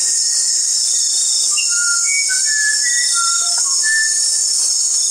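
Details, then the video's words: Musical whistled phrase from a musician wren, a rapid run of pure notes stepping up and down in pitch, each short and clean, set against steady high-pitched insect hiss. "SONIDOS del CUCARACHERO MUSICAL"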